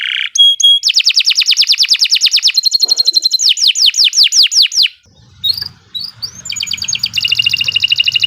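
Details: Canary singing long continuous song for training birds: rapid repeated pulses in a long trill, then descending sweeps, a short break, and another dense high trill.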